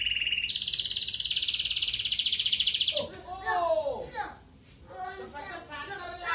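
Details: Red canary in a lure recording meant to stir breeding desire in female canaries, giving a loud, even buzzy trill that steps higher after half a second and lasts three seconds, then gives way to voices and scattered chirps.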